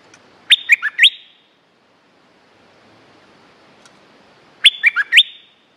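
A stripe-throated bulbul gives two quick bursts of bright, bubbly whistled notes, with a pause of about three seconds between phrases and little background noise.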